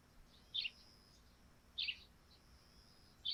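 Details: Morning sparrow calls from a thatched roof wet with dew: three crisp, slightly buzzy chirps a little over a second apart, set against a quiet steady high-pitched background tone.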